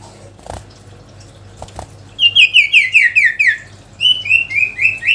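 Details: Sooty-headed bulbul in lively song, calling a rival: after two soft knocks, a run of about seven quick, clear downslurred notes, a short pause, then four more similar slurred notes, over a faint steady low hum.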